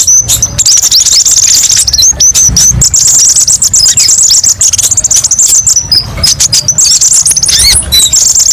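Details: Kolibri ninja, or olive-backed sunbird, delivering masteran song full of tembakan variations: dense, very high, buzzy trills and rapid ticking notes with brief upswept whistles, nearly unbroken throughout and without background sounds.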